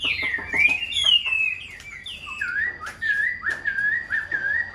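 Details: Caged Chinese hwamei, a tame hand-held bird with one white wing feather, delivering a varied whistled song: sliding high notes at first, then a steady run of repeated mellow two-part whistles, with sharp clicks early on.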